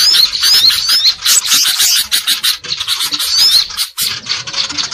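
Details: Greater green leafbird in noisy, agitated song, a recording used as a lure to attract birds: a busy run of high, sweet rising whistles mixed with harsh chattering notes, several per second, almost without pause.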